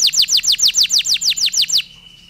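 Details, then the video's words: Canary singing a long song with pauses, used as a stimulus for other canaries: a fast series of about eleven identical high downward-sweeping whistled notes, then a brief faint steady tone as the phrase ends. "PANCINGAN KENARI STRES, KENARI GACOR PANJANG DENGAN JEDA"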